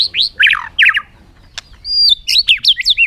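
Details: Bird calling, heard as a quick run of bright, high chirps and downward-sweeping notes, then a sustained whistled note followed by a burst of sharp, varied chips.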